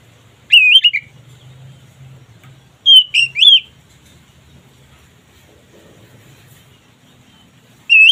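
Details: Kacer (oriental magpie-robin) ngeplong song to raise mating drive: short sparse whistled phrases of two or three upslurred notes, separated by long quiet gaps.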